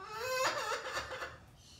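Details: Cairo, a male Catalina macaw, imitates a crying child indoors after hearing a boy whine: a drawn-out rising whine, then a run of sobbing, laugh-like bursts; said to do this only when someone appears sad.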